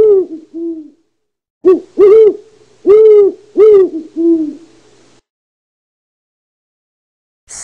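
An owl gives a run of about seven short, mellow, arched hoots over five seconds, the first two softer, then silence.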